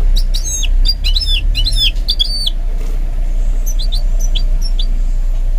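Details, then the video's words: Goldfinch mule in song training, giving bursts of bright, rapid twittered notes with downward slurs for about two seconds, then a few soft, scattered high chirps against a steady low hum. "Training My GOLDFINCH Mule to Sing"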